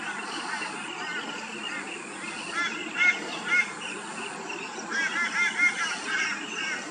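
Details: Rainbow bee-eater calling and feeding in the afternoon and at sunset in Australia: short, burry, rolling chirps in loose bursts, strongest around the third and fifth seconds, over a steady high insect drone.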